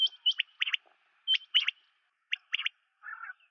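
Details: Common quail calling in short bursts of sharp, high clipped notes, grouped in twos and threes and repeated about once a second, ending with a softer, lower buzzy note; no other sounds.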